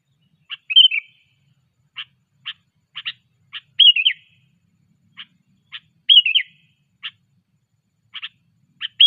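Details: Sooty-headed bulbul in training, the song called cengkram: brief sharp chip notes repeated at irregular intervals, with loud bubbly whistled phrases that dip and recover three times through the passage.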